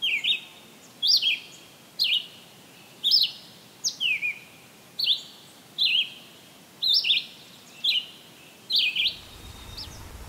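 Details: Red-eyed Vireo singing in summer, July 13, 2023, in Maynard, Massachusetts: short, clear, slurred whistled phrases, mostly falling, repeated about once a second with brief gaps, over a low steady background hiss.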